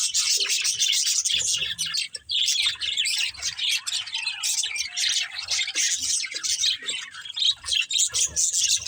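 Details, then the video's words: Pet budgerigars chirping while playing: nonstop high, raspy warbling with quick twittering notes and occasional harsher squawks, several birds overlapping throughout with barely a gap. "Cute Budgies Chirping Sounds"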